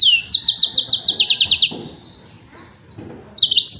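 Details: Yellow-fronted canary singing a tembakan-style song, the kind used to tutor other songbirds: a fast trill of high, downslurred notes for about a second and a half, a pause, then a short burst of notes.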